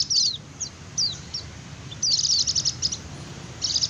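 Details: White-eye lure song (ngecir) for attracting wild birds and stirring quiet birds to sing: a few isolated thin descending chirps, then a quick high twittering burst and another brief trill at the end.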